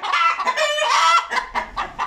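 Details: Young hens, not yet laying at about 22 weeks, cackle loudly in a coop in winter with harsh, repeated, overlapping clucking; one white hen starts and most of the flock joins in.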